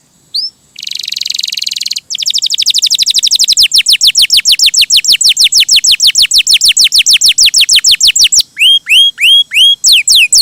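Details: Canary singing gacor and merdu: a brief upslurred note, then a dense buzzy trill, followed by a long accelerating series of descending whistled notes and a few rising whistles at the end.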